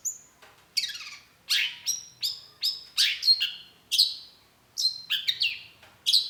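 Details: Long-tailed shrike, a caged songbird kept by hobbyists, singing a varied run of loud sharp notes, each dropping steeply from high to lower pitch, with a few short whistles in between, delivered in irregular bursts.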